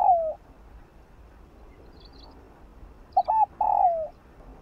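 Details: Morning song of a spotted dove, meant to spur other doves to sing. A drawn-out falling coo ends, a long silence follows, then two brief hoots and a sustained descending mellow note.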